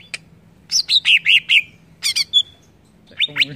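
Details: Greater green leafbird song meant to provoke other birds: bright whistled notes around mid-high pitch, a run of five slurred rising-falling phrases, then a pause and quick chirpy bursts ending in buzzy descending notes.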